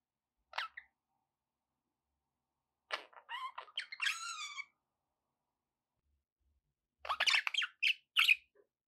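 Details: Pet budgerigars indoors, a short squeaky chirp then bursts of scratchy, warbling chatter with clear gaps of silence between phrases.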